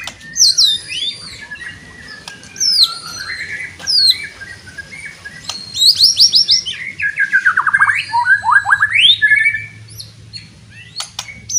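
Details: White-rumped shama giving a loud song that goads other shamas into fighting: high descending whistles, sharp clicks, then a tumbling cascade of rising and falling notes, with low background hum.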